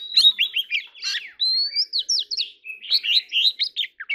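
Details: Oriental magpie-robin (choè than) singing in contest style: warbled runs of looping whistles, a drawn-out rising whistle in the middle and a final flurry of quick notes.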